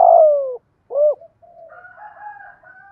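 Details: Spotted dove used as a decoy, cooing in the 'giọng thổ' style to draw in wild birds: a long falling coo and a short rounded note, followed by a faint wavering higher sound.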